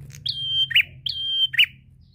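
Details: Two clear notes from a prinia singing drawn-out lure song: each opens with a sharp upward flick, holds a steady high whistle, then drops to a short buzzy lower note; low hum behind.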